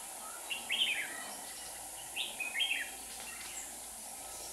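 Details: Lure red-whiskered bulbul at a bird trap in Hòa Bình, Vietnam, calling to wild birds: two brief chirpy warbled phrases about two seconds apart, sweeping up and down, with quiet pauses and a low steady hum.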